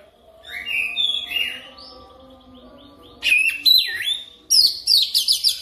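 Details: Oriental magpie-robin song played as a lure for fast rolling singing: quiet twittered phrases, then a loud sweeping whistle dropping and rising, and a final string of rapid rhythmic trilled notes, over faint humming.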